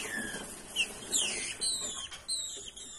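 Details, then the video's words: Female green-winged saltator in breeding condition, calling to stimulate males: a sequence of thin, clear whistled notes, several slurring downward and others sweeping high and sharp, spaced irregularly over about three seconds against a faint hiss. "FÊMEA DE TRINCA FERRO MACHEANDO E PEDINDO GALA"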